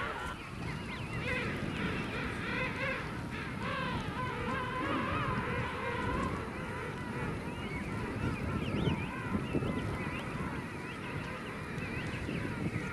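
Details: King penguins at Fortuna Bay, South Georgia: a dense chorus of overlapping, wavering, trumpet-like calls with pulsing harmonics, several birds calling at once over a steady low rumble.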